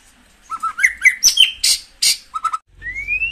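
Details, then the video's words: White-rumped shama song played to stimulate caged birds: paired whistled notes, sharp clicks and loud rasping bursts, closing with a long smoothly rising whistle. "tiếng chích chòe lửa hót dùng kích chim căng lửa hiệu quả"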